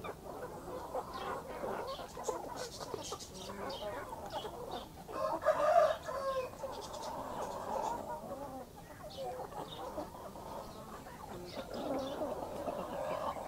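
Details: Backyard chickens, a hen and chicks, heard during the morning rush: a continuous low chorus of clucks and murmurs, swelling around the middle, with occasional faint high peeps over steady background noise.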